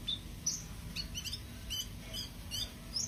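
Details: Sooty-headed bulbul, described as starting to sing often, in the wild: scattered short, high, sharp chirps and whistled notes, about two or three a second, irregularly spaced, over a steady low background hum.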